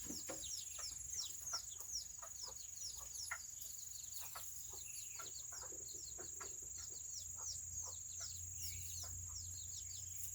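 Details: Tiny Serama chickens on a rainy day give quick, sharp descending peeps, close to three a second and overlapping, some louder nearby calls among softer ones, over a constant shrill background whine.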